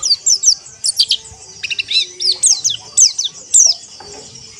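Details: Pleci (white-eye) in a group ombyokan session, sung to encourage rough, forest-style ngeriwik chirping: rapid high sweeping chirps and twittered notes in quick bursts, about two per second, with overlapping birds and faint low background hum.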